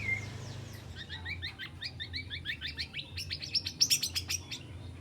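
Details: Young spotted white-rumped shama aged three months learning its fill-in repertoire: a fast, even series of paired chip notes builds into louder, harsher rattling strokes, a low hum pulsing underneath.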